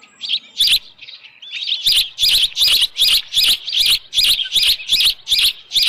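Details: Evening osprey calling at a Dunrovin Ranch nest with a headless fish, 10 June 2018: scattered high notes, then a rapid, regular run of shrill whistled chirps close to three per second.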